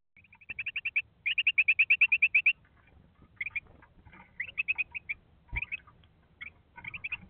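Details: Carolina wren calling, recorded 19 October 2021 at 16:38, gives a fast run of sharp, bright notes, about seven a second, then shorter scattered bursts of the same high notes.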